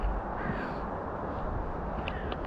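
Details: Crows at Sestroretsky Razliv lake giving a harsh, hoarse caw early on, noisy flocks said to be starting their "crow weddings", over steady low rumbling wind and outdoor background noise.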